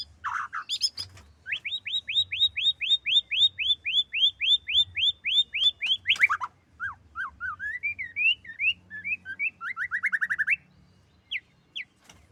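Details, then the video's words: Female white-rumped shama pouring out a long train of rapid, evenly spaced downslurred whistles, then a sharp drop, a stretch of rising warbled notes and a quick buzzy trill, ending in a few isolated high whistles over a low hum. "burung murai betina"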